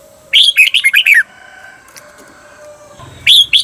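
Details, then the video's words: Red-whiskered bulbul song from a training recording for caged birds teaching the doubled 'beuan' style: one quick run of about six bright, warbled notes, a quiet pause, then two short chirped notes at the end. "เสียงฝึกเบิ้ล นกกรงหัวจุก เปิดสอนเบิ้ลยาวๆ เบิ้ลได้แน่นอน"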